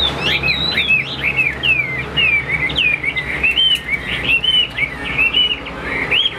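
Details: Chinese hwamei kept caged for fighting, delivering a steady stream of clear, looping whistled notes with frequent up-and-down slurs, over a soft electrical hum.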